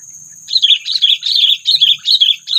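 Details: Sooty-headed bulbul lure call for bird trapping, meant to provoke predators: loud paired chirping phrases repeated in quick bursts about every half second, over a faint high whine.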